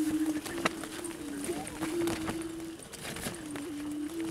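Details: Wild prairie chickens near Salina, Kansas, give low, steady hooting tones that overlap and waver with slight rising and falling bends, forming a continuous droning chorus with scattered clicks and taps in an open outdoor setting.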